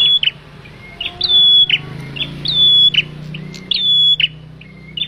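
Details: Male bar-winged prinia lure for trapping birds: high, steady whistles with chips and a lower trailing note come about four times against a droning low background.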